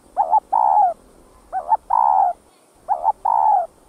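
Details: Spotted dove song used to stimulate caged males: three matching phrases about every 1.3 seconds, each a quick double note followed by a drawn-out, gently falling coo, with faint background hiss.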